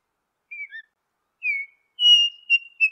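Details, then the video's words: Altamira Oriole song: clear whistled notes, a short falling pair, then a longer slurred whistle and a sustained high whistle ending in two brief notes, in quiet surroundings. "00:27 Altamira Oriole"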